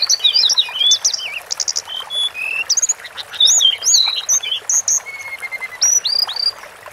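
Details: Sunda forktail in a long masteran-style recording: a dense run of thin, high whistled and chirping notes, many short upslurs and downslurs with a few longer level whistles, delivered in quick bursts with brief gaps.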